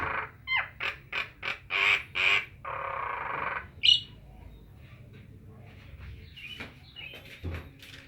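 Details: Nias hill myna calling in a string of loud, evenly spaced notes mixed with sharp whistles, then a rough drawn-out note, a single high whistle and scattered softer calls.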